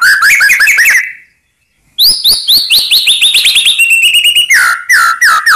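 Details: White-rumped shama song to provoke rivals: rapid rising whistles, a short gap, then a long lively sequence of upslurred chirps and quick whistled trills.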